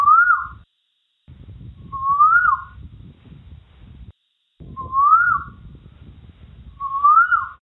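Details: Asian Koel in India giving four clear, rising whistled notes, each swelling upward, spaced about two seconds apart over a low background rumble.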